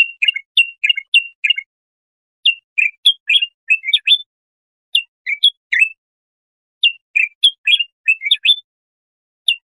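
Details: Bulbul song meant for tutoring goldfinch chicks or hybrids: three phrases of bright chirped and slurred notes, each lasting a couple of seconds, with pauses between them and a lone note at the end.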